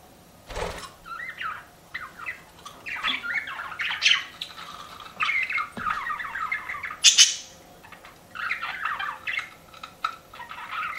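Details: Pet budgies chattering softly in short warbled phrases, clusters of twittering notes broken by pauses, with one sharp loud squeak near the seventh second and a dull knock early on.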